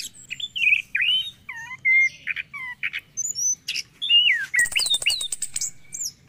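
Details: Orange-headed thrush singing in the morning, a lure to restart song in caged birds. A rich run of varied whistles, loops and downslurs, then a dense high rattling trill before a few final whistled notes.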